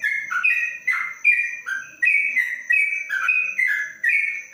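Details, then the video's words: Caged yellow-vented bulbul inside a cage cover sings in the long ropelan manner, clear liquid whistles alternating high and low, about two notes each half second, with a faint steady high tone behind. "Trucuk Ropelan Panjang dalam krojong"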